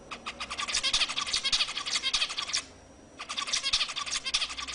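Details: Zebra finch song meant to stir up other birds: quick repeated nasal, buzzy notes in a busy stream over a hissy background, interrupted by a short gap before the chattering resumes.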